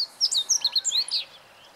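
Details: Close meadow bunting song, 20 March 2015: a single brisk burst of high, clipped chirps and slurred notes, about a second long, over a faint background hiss.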